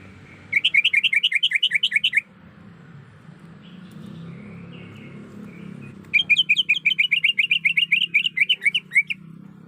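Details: A female greater green leafbird, in breeding condition, calls for a male. Two bursts of quick, evenly spaced bubbling whistles are separated by several seconds of quiet, with faint background hum.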